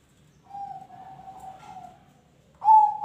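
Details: Zebra dove song for prompting other birds to sing: a long, quiet, wavering coo held for over a second, then a sudden loud, bright note starting the next phrase at the end.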